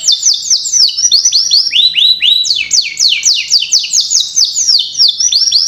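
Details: Canary song used to get young canaries singing fast: unbroken run of loud, rapid downward-sweeping whistled notes, rolling in waves of shifting pitch for the whole stretch.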